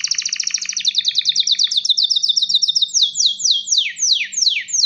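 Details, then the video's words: Courting male canary calling a female to mate: a rapid, high trill of repeated down-slurred notes, which slows into broad, sweeping descending whistles near the end. Faint low hum throughout. "تغريد كناري ومناداة للتزواج"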